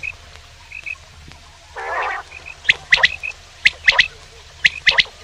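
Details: Male common quail giving sharp three-note calls, quick whip-like notes in triplets repeated about once a second. One harsh, gargling burst from another caller cuts in early, and faint short chirps sound in the background.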